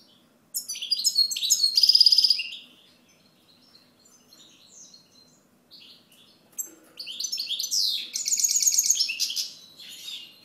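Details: European goldfinch song in two bursts: a rapid jangling twitter with a buzzy trill, a pause holding only a few soft notes, then a longer bright tumbling phrase of chirps and trills.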